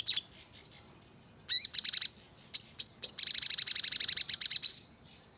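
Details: Crimson sunbird song used to coax birds into answering: thin high whistles, short clusters of sharp notes, then a long, rapid, dense trill of very high chips lasting nearly two seconds.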